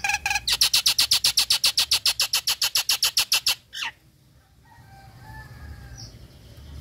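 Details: A female Nias hill myna in breeding condition gives a fast, harsh rattling chatter of about twenty-five rapid notes over three seconds, ending in a sharp note, then faint background noise.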